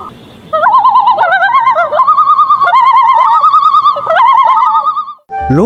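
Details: Common loon; tremolo call; calling mates, marking territory, warning of danger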